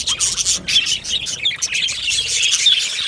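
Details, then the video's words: Budgerigars in an aviary colony, a dense chatter of high, scratchy chirps and warbles running without pause, with several birds calling over one another. "Budgie parrot chirping sounds"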